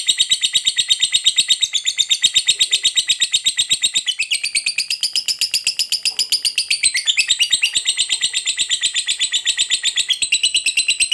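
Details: Long ngekek trill from a gacor lovebird, said to make other lovebirds agitated: a sustained stream of rapid buzzy chatter, pitch dipping and lifting in waves across about eleven seconds.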